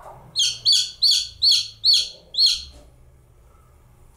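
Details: A lone baby chick peeps six times in a fast, slightly uneven series. The notes are high, piercing and downward-curving, and silence with faint low hum follows.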